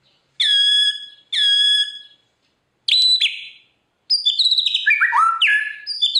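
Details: White-rumped shama (murai batu) singing: two long, pure, steady whistles, a sharp upslurred note, then a fast tumbling run of varied whistled phrases and mimicked fragments, typical of 'isian' filler song used for training stalled singers.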